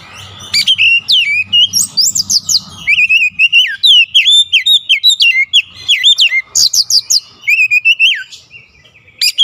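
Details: Oriental magpie-robin singing persistently in the bongkar isian style, pouring out its repertoire: rapid, varied whistled phrases with sharp upward and downward slurs and short chirps, barely pausing, plus a low hum in the first seconds.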